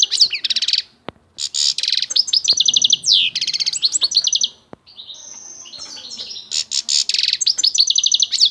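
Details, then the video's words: A goldfinch pours out rapid twittering phrases and rattling trills, pausing briefly, then resumes with a drawn-out buzzy note and more fast, high chatter. "طائر الحسون صوت ولا اروع"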